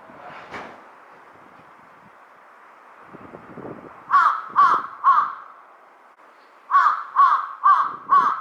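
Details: Large-billed crow calling in a series of harsh caws, three in quick succession, a pause, then four more evenly spaced; softer rustling and a faint distant call earlier in the recording.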